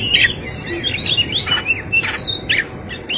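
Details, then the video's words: Oriental magpie-robin singing in fighting mode with rich fill: quick sequence of bright warbled, rising and falling whistles, punctuated by a few harsh emphatic notes, over a faint low rumble. "Kacer gacor tarung isian mewah"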